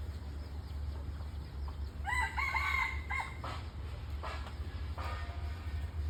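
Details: Red junglefowl crowing at some distance outdoors: a quieter multi-part crow with a wavering middle, followed by a few short separate notes, set against strong low rumbling background noise.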